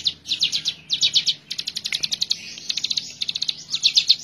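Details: Energetic hill prinia song for tutoring other birds: quick clusters of high, piercing notes, then a faster, evenly ticking run of clipped notes, ending in louder grouped bursts.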